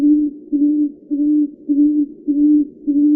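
A tawny frogmouth gives a low, soft, booming 'oom' note, repeated steadily almost twice a second, six notes in a row with no other sounds.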